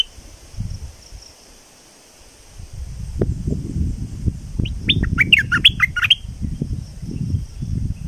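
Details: Streak-eared bulbul from southern Thailand singing vigorously: after low rumbling background noise, a quick burst of short, bright chirping notes jumping up and down, lasting about a second and a half, with steady low rustle throughout.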